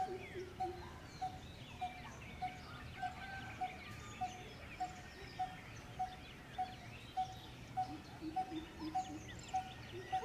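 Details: Coppersmith barbet in an Indian urban neighbourhood giving its continuous metronomic, hollow tuk-tuk-tuk, about one note every half second, with fainter chirps of other birds and background hum.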